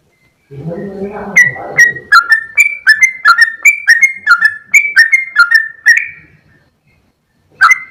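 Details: Sooty-headed bulbul in 'gacor ropel panjang' song: after a brief low murmur, a fast string of crisp, clicking whistled notes rolls on for several seconds, then pauses and resumes with one more sharp note.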